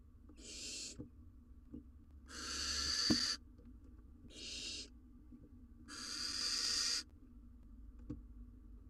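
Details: Wild barn owls, male delivering a rodent to female and nestling in their nest box; four hoarse hissing screeches alternating short and long, roughly every one and a half seconds.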